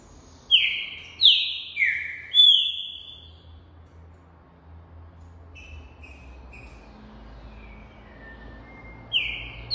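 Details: A captive tournament-type green-winged saltator, eager to sing in competition, sings three loud, rich whistled phrases in quick succession, then softer scattered notes and one more strong phrase at the end, over faint background hum.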